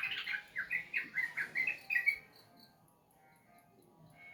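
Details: Sooty-headed bulbul, played as therapy for a bird that is reluctant to sing: a quick run of bright, bubbly warbled notes, about seven a second for two seconds, then near silence with faint tones.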